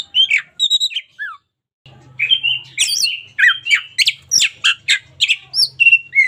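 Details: Local Oriental magpie-robin in lively song: a few clear falling whistles, a brief pause, then a fast jumble of chirps, trills and sweeps over a faint low hum.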